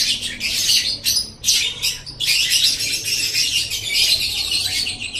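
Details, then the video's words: Loud, fizzing lovebird chatter recorded as masteran to teach pet birds: several short squeaky bursts at first, then a long unbroken run of rapid high twittering. "Masteran Suara Burung Love Bird"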